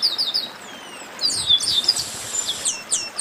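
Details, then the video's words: Chestnut-capped blackbird song: a quick run of thin, high whistled notes and falling slurs, about four a second, over a faint background hiss. "Baderna de Garibaldi"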